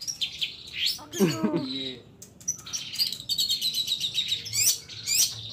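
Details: Long-tailed shrike, known locally as cendet or pentet, singing steadily with a rich mimicked repertoire. It gives high chirps and short sweeps, then a burst of falling, rippling lower notes, then dense trilled phrases. Faint background hiss.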